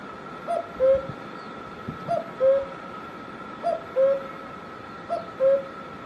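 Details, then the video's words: Cuckoo calling in Himachal Pradesh, India: a two-note cu-coo, the first note higher and the second lower and longer, repeated about every one and a half seconds, with a steady faint hum behind. "Cuckoo Bird Sound"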